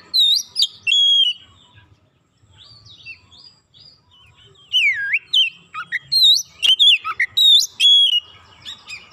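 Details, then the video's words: White-rumped shama song used as a lure to set other shamas singing: opening whistled notes, a pause, then a lively burst of repeated rising and falling whistles with sharp clicks. "100% gacor Kacer lain sekali pancing"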